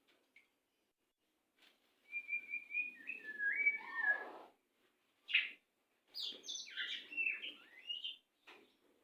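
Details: White-rumped shama song played as a training recording for captive birds, in a fast, tightly packed style: varied whistled phrases, slurred and sliding, with buzzy notes and sharp chips in bursts separated by short pauses, over a faint low rumble.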